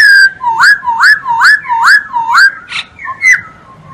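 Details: Masked laughingthrush in vigorous song for training other songbirds: a series of five loud rising slurred whistles at steady half-second spacing, followed by a brief noisy note and two falling whistles.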